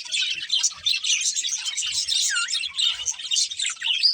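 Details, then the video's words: A pet budgerigar breeding pair gives fast, high twittering chatter with a few squawky notes and one clear upward-curving whistle, over faint low knocks. "Cute Budgies Chirping Sounds"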